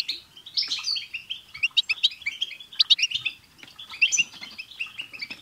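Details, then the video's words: European goldfinch group song to stimulate a pet bird; overlapping rapid chirps and twittered phrases, with a brief buzzy burst near the start and clusters of clicks. "بتبتة حسون جماعية رهيييبة مع تستسات تجعل حسونك يغرد"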